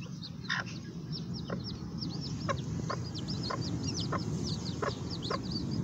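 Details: Sebright chicks giving many short, high, down-slurred peeps scattered throughout, with occasional sharp broadband taps and a low background rumble.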